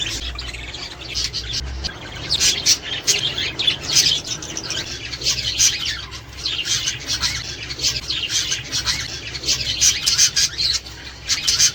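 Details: Australian budgerigars chattering to encourage pairing and breeding: long stretch of busy, scratchy warbles and rapid chirps, continuous and layered, over faint low noise.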